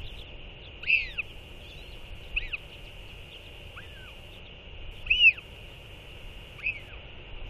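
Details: Northern royal albatross pair trading skycalls after feeding their chick. Five or six rising-and-falling harmonic calls arrive irregularly, a few seconds apart, the clearest near the start and middle, over a constant hiss.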